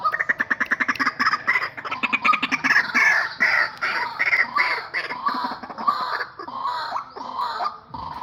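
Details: Decoy pair of white-breasted waterhens, male and female, used for trapping, calling in rapid harsh chattering bursts that slow into looser, squawking notes, loud and busy throughout.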